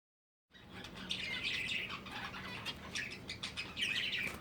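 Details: Finches kept for breeding give a steady stream of short high chirps and tweets from several birds, with a faint low hum underneath.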